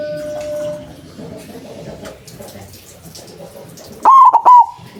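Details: Perkutut putih, a white zebra dove with a big voice used as a trapping lure: low background noise, then one loud burst of three short cooing notes near the end.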